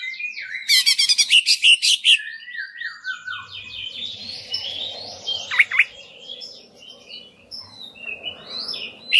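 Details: Greater green leafbird song played as a lure to make other leafbirds sing: a rapid chattering trill, then descending slurred whistles, over steady mid-pitched background noise and a faint low hum.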